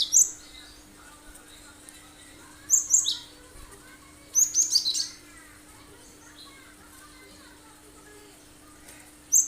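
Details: Cinereous tit singing in full, sharp 'tembakan' bursts: three short clusters of high, thin chirped notes spaced several seconds apart, with quiet gaps between and faint background hum.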